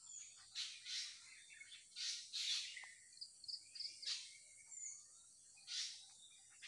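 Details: Morning chorus of birds: brief bright chirp bursts every second or so, with short high trills and a faint sustained whistle between them.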